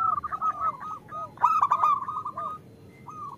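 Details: Female zebra dove calling a male, used to prompt lazy local males to sing; level purring trills with soft falling coos underneath and a loud, bright clipped burst in the middle.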